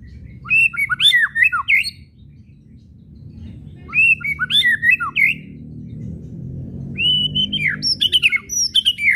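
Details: Kretekan and whistles of a white-rumped shama, a lure for making shamas sing: three busy phrases of quick, high, looping whistles mixed with dry clicks, separated by short pauses, over a faint low hum.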